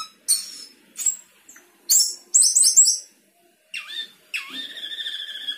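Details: Sooty-headed bulbul in full song with isian fill-ins, harsh high chattering bursts and a rattling trill, then lower swooping whistled notes that dip and rise, one drawn into a wavering tone.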